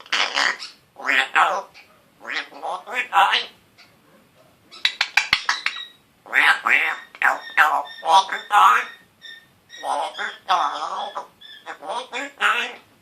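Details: Pet African grey parrot, male, one year old, speaking short scratchy words such as hello, hi and good boy, with a sputtering raspberry sound near the middle.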